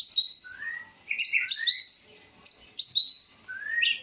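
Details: Long-tailed shrike delivering its full variety song: tight clusters of squeaky, tumbling notes mixed with low, drawn-out rising slurs. The bird sings in two or three bursts separated by short gaps.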